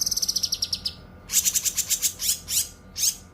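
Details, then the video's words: Cucak kinoi song used as a tutor recording for other birds and for therapy: a fast, very high trill of ticking notes, then a sequence of high buzzy pulsed bursts and quick rising sweeps; faint steady hum behind. "Suara Kicauan Burung Cucak Kinoi"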